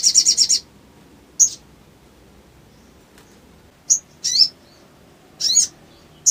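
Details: Crimson sunbird, bird kept for song, recorded to trigger an emotional response in other birds; very high thin trilled bursts at the start, then short sharp chips and brief buzzy rattles separated by pauses, quiet background.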